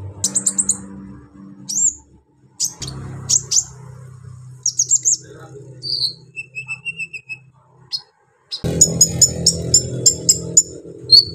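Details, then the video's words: Lively Brown-throated sunbird unloading harsh song phrases to provoke other sunbirds. Buzzy chirp bursts and downslurred whistles lead into softer, spaced twitters, then a fast, insistent run of high stuttering notes ending in a shrill squeak, over low background hum. "KOLIBRI NINJA GACOR BONGKAR ISIAN KASAR BUAT MENAIKAN EMOSI KONIN BAHAN"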